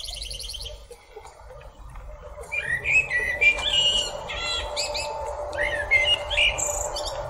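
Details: Blackbird of the genus Turdus perched atop a tree and singing: a run of varied whistled and chirping phrases, some rising and falling, others clipped and high, with a low steady background hum beneath.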